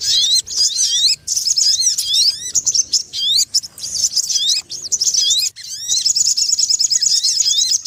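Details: Sogon ontong trapping lure, called very noisy and effective: bursts of sharp, high squeaky chirps with curving notes, split by short silences, ending in a long rapid stuttering run.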